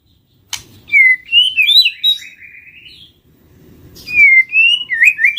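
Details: White-rumped shama lure song: two phrases of clear, melodious whistles that sweep up and down with quick ornamented flourishes, separated by a brief quiet gap, with faint low background rumble.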